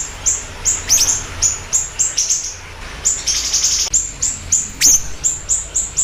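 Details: Rapid series of high, clipped chirps from a siri-siri bird, evenly spaced about twice a second, with a denser twittering burst in the middle and one sharp falling note.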